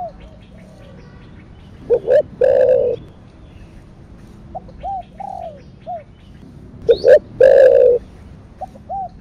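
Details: Spotted dove giving "thổ đặc thúc" style coos, also called "thổ sấm". Two full phrases are heard, each with short clipped notes leading into a long, rough, level coo. Quieter arched coos from another dove fill the gaps.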